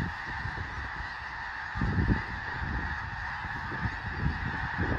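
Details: Large flock of snow geese trying to settle for the night on Fir Island near Mount Vernon, Washington: a dense, unbroken chorus of overlapping honking calls, with low rumbling wind gusts, one stronger near two seconds.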